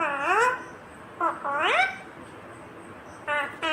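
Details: Indian ringneck parakeet, green, mimicking speech with sweeping, harmonic word-like sounds, a long rising phrase and then two short clipped syllables at the end.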